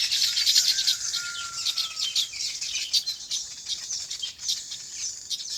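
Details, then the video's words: Farmyard birds in their natural habitat: a steady wash of high, busy chirping from several birds at once, with a faint thin whistle sliding past early on. "Relaxing Bird Chirping Sounds"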